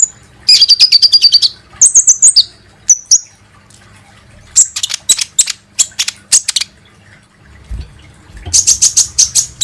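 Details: Olive-backed sunbird, used as a lure to make birds sing: very high, rapid trills and sharp thin chirps in bursts, with a brief pause midway, then a fast closing trill.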